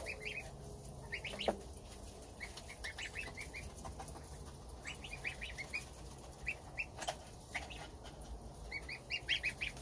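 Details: Domestic goslings eat their starter ration beside their mother while the father goose stands guard outside. Soft, high peeps come in quick clusters throughout, over a low steady rumble and a few faint rustles.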